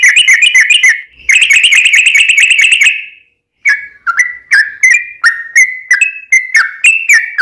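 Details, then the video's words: Lure recording of yellow-vented bulbul song: fast chattering bursts of bright notes for about three seconds, a short silence, then a spaced series of clear, slightly rising whistles, intended to set other bulbuls singing. "trucukan gacor ROPEL PANJANG buat pancingan trucukan agar bunyi"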